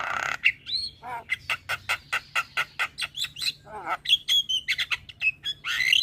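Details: Starling singing as a lure for a starling that has gone quiet: a long rapid series of harsh, buzzy chattering notes, broken by a dipping whistle, ending in squeaky high whistled phrases.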